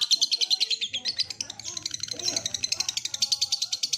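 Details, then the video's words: Lovebird training recording of the ngekek trill: a dense run of high, scratchy chirps at a fast, irregular pace, with faint murmuring in the background. "Masteran Burung Lovebird - terapi biar cepat ngekek!!"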